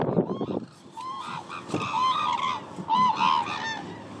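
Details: Hooded cranes at Izumi, Japan: after a burst of low rumbling, clear ringing bugled honks from several birds, arched notes clustered in quick pairs and trios.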